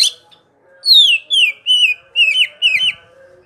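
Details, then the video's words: Greater green leafbird (cucak ijo) from Indonesia, a popular songbird among bird hobbyists, singing its 'ngerol' rolling song: five loud, clear whistled phrases, each slurring downward, delivered in quick succession with short gaps, over a faint low hum. "Suara Burung Cuc4k Ijo Ngerol Dur4si P4nj4ng"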